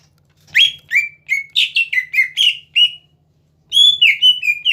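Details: Greater green leafbird singing to provoke rivals: clear whistled notes, mostly steady or gently falling, given in a spaced run, a pause, then a second run, over a faint low hum.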